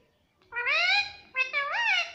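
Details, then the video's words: Pet parrot talking indoors, two drawn-out harmonic vocal phrases, the second sliding upward, clear and loud against a quiet room. "मम्मी पापा बोलता मिट्ठू || प्यारा तोता मिट्ठू मम्मी मम्मी बोलेगा || Talking Parrot"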